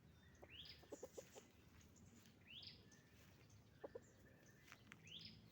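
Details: Chickens on a farm, roosters and hens together: a few scattered low clucks under repeated high, rising chirps about every two seconds, with steady barn background noise.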